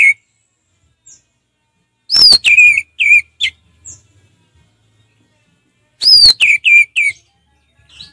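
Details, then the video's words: Orange-headed thrush, ngeplong style song: two matching phrases four seconds apart, each opening with a rising-falling whistle, then three or four sharp clipped notes, with near silence between. "Terapi ampuh Anis merah ngeplong santai"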